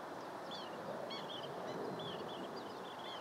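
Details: Brief stretch of long-billed dowitchers calling: a few high, short, slurred notes spaced through the three seconds over constant background hiss.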